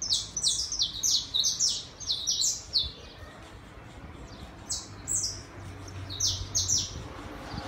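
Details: Saffron finch song from a terrace in the city, where a tame pair arrived: quick bursts of bright downslurred chirps, a pause mid-way, then another rapid burst.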